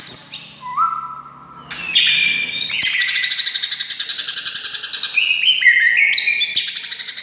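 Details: White-rumped shama (murai batu) singing to provoke other shamas: a few clean whistles, then a long harsh rattling trill of rapid pulses, closing with bright whistled notes and sweeps.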